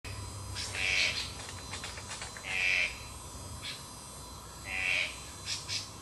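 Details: Magpie tanager (Cissops leveriana) recorded 12 July 2008: harsh, buzzy notes centred high, three main bursts about two seconds apart with fainter short ticks between, over a steady low hum.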